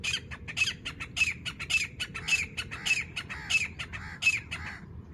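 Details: Black francolin female near Layyah in Pakistan's Punjab, recorded while hunting: loud, close, dense series of harsh, squawking, grating notes, irregularly spaced and overlapping, continuing without pause for several seconds above a quiet background.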